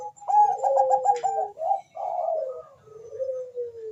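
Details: Fast-calling Bangkok-type zebra dove with a rival answering: a quick stuttering trill of repeated mellow notes gliding downward, followed by several drawn-out descending coos fading lower toward the end.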